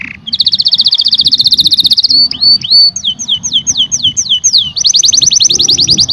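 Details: Canary song: a long fast trill, then a sequence of clear down-slurred whistles about four per second, then a high rapid trill again, over a low background rumble.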